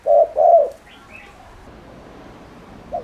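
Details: Spotted dove cooing to provoke other doves: two low, mellow coos in quick succession, the second longer and slightly falling, then a pause with a faint high chirp from another bird and one more coo beginning at the end.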